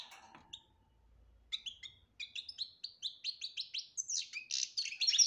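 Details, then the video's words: Betbeta-style goldfinch song with tasfiya, played to get a quiet goldfinch singing: after a hesitant start, a steady run of clear rising notes repeated about three per second builds into a fast, bright twittering flourish. "بتبتة روعة انتى ولمال نتاعها بتبتة وتصفية الكلام حسونك حايخرج من صامتو"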